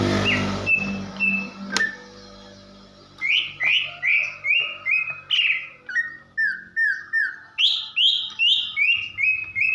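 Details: Female greater green leafbird calling to arouse males and coax them into song: after a brief noisy start comes a long, fairly even series of bright downslurred whistles, about two per second.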